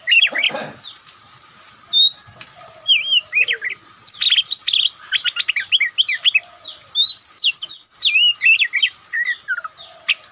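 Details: Oriental magpie-robin (kacer, white-breasted) from Indonesia, a songbird prized for loud, varied singing, gives long bursts of rapid chips and twisting whistled notes after a short thump and pause.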